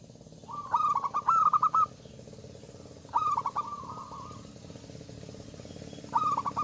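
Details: Zebra dove singing loudly to provoke rivals into song: stuttering rapid coo phrases trailing into steady trills, repeated about every two to three seconds over a low background hum.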